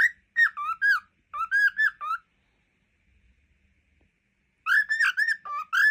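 A cockatiel sings a run of bright, warbling whistles in quick phrases, pausing briefly between bursts.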